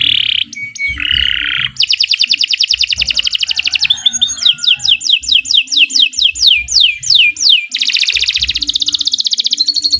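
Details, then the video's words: Canary song used to coax pet birds into singing: varied long phrases of rapid trills, rattling buzzy runs and repeated falling whistles, shifting abruptly between sections with hardly a pause. "Kicau Burung Kenari 151 II LUAR BIASA GACOR PANJANG Cocok untuk Masteran"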